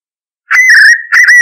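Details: Spot-backed puffbird in the caatinga giving a loud whistled phrase, a long steady slurred whistle followed after a short gap by a second rising whistle.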